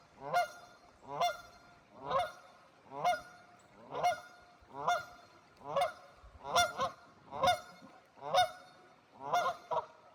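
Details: Canada geese on a cold river in Wisconsin: loud nasal honks with strong harmonics, repeated roughly every second in a steady series of about eleven calls, with little background noise.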